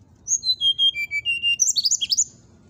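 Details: Brown-chested jungle flycatcher (Cyornis brunneatus) song used to provoke rival birds into responding: clear whistled notes stepping down in pitch, then a quick, high, tumbling flourish over a faint low rumble.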